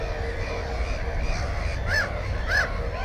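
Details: Black-headed gull beside a nest with one egg and a chick, recorded 15 May 2016 with a GoPro 4. Two sharp, rising-then-falling screechy calls stand out near the end over softer distant calling and a low rumble.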